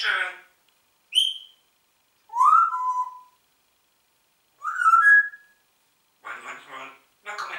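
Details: Congo grey parrot kept as a talking pet producing separate whistles, short high notes and rising-falling slurs, followed by two rough speech-like bursts.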